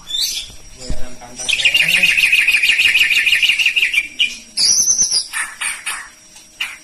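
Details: White-rumped shama, Medan variety, delivering a sustained harsh buzzing trill of nearly three seconds, followed by shorter scratchy bursts and fading chips.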